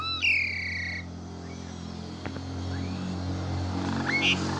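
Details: Asian pied starling song meant to trigger silent or stressed starlings: a single loud descending whistle at the start, then faint notes over a strong low hum.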